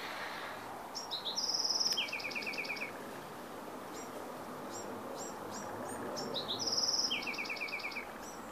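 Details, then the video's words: Two songs by a Bewick's wren, Carmel Valley, San Diego, 15 April 2019, roughly five seconds apart: bright introductory notes, a quick buzz and a descending string of notes, while soft high chirps from other birds fill the gaps. "Bewick's Wren"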